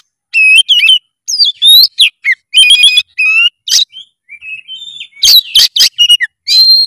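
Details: Oriental magpie-robin singing in lively, emotional style: rapid repeated whistled notes, trilled stacked phrases, a soft wavering warble, then loud sharp strident notes.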